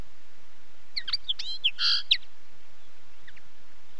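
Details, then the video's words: Common linnet singing a short phrase of quick twittered notes and a buzzy, nasal burst lasting about a second, followed by a couple of faint chirps over background hiss. "Как поет коноплянка? 🐦 Звук поющей коноплянки и какие звуки издает коноплянка"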